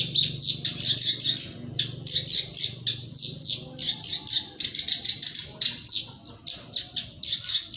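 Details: Black-browed reed warbler song used as a lure to get other birds singing: fast, continuous chattering of short, scratchy, high notes in quick bursts, almost without pause, over a steady low hum.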